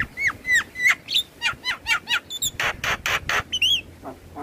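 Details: Javan myna song used as therapy for a stressed myna reluctant to sing: a string of downslurred whistles, quick clicks, three harsh rasping bursts, then a rising-falling whistle.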